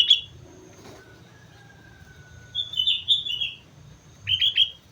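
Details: On Mount Slamet, a sooty-headed bulbul gives brief chattering notes, then a pause, then a wavering whistled phrase and a short closing burst; faint low background hum.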